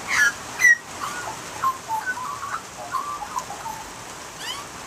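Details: Australian magpie carolling: a run of short, clear whistled notes around mid pitch, some sliding or warbled, with a faint chirp at the end.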